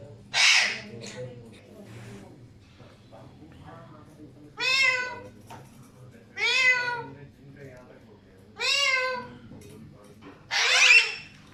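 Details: Alexandrine parakeets calling repeatedly, loud harmonic calls roughly every two seconds, each rising then falling, with harsher noisy screeches at the start and end and faint background hum between calls.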